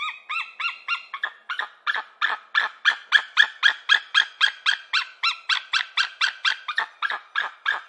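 An eagle gives a fast, steady series of thin, squealing chirps, about four each second, high-pitched and rich in overtones, with no other sounds around it.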